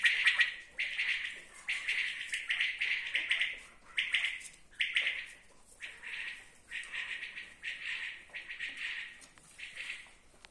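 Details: Common quail producing a long run of bright, buzzy pulsed phrases packed closely together, roughly one per second, with faint background hiss.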